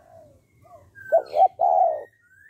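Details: Spotted dove call used to prompt males to call fast: a low hoarse coo phrase, two short notes then a long rolling note, with thin, faint whistles from other birds around it.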